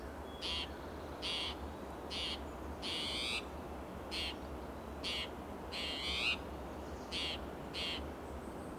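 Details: Restless spotted towhee sounding an alarm in Del Monte Forest, California, one June morning, hopping between oak and pine branches; about nine raspy, buzzy calls delivered roughly once a second, a few longer and harsher, over steady low rumble.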